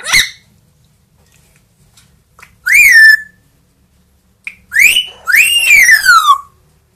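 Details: Indoor pet parrots, a two-year-old grey parrot and a one-year-old Amazon, whistling and singing; clear whistled notes that rise then slide down, spaced by quiet gaps, the last one long and drawn out.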